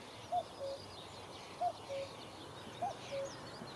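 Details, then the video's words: In Achterveld, Netherlands, on a sunny May morning, a common cuckoo gives its falling two-note cu-coo three times in steady rhythm, while other birds twitter faintly behind. "De koekoek van Achterveld"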